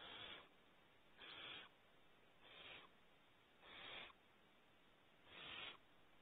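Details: Five harsh, airy hisses at irregular spacing from barn owl owlets gathered at the front of their nest cavity, Starr Ranch, California, with low steady background noise.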